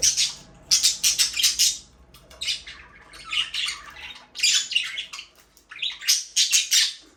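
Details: Budgerigar breeding pair in an aviary, delivering clusters of rapid, harsh chirps and squawks in three or four loud bursts, with softer chatter in between.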